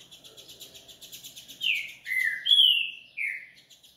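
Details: Coleiro (double-collared seedeater) from a breeding facility singing: after soft high twittering, four loud slurred whistled notes, each sliding downward, alternating higher and lower around a bright clear pitch.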